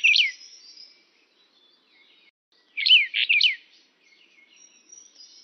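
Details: Calls of the Brown bullfinch (Pyrrhula nipalensis uchidae): one brief burst of curved, bright notes, a quiet gap, then two close bursts of quick down-bending chirps. The background is clean, with no other sounds.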